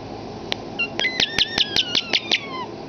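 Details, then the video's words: Indoor pet common starling that talks, copying human speech: a couple of isolated clicks, then a steady train of about seven clicks over a second with high whistled tones and a final falling whistle. "the Talking Starling"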